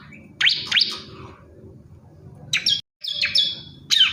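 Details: Bar-winged prinia male calling to a female, giving a few sharp upward-sweeping high chirps, then gaps and a thin sustained high tone, against low background rumble.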